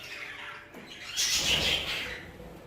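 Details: A budgerigar in an aviary of Hogoromo budgies lets out a brief harsh squawk that swells and then trails into softer chatter.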